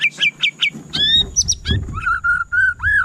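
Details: White-rumped shama song: three quick high chirps, a bright rising whistle, then a run of even mid-pitched notes and a final arching whistle, with low rumbling noise underneath.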